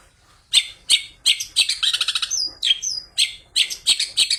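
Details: Long-tailed shrike singing a fierce song packed with imitated calls, including fighting sparrows, used as a lure for other shrikes: harsh, buzzy high bursts repeated about three per second, with a sliding whistle in the middle.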